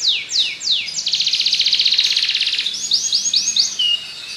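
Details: Singing Belgian canary: three falling whistles, then a dense rapid high trill lasting over a second, followed by short upward-flicked notes and a held tone.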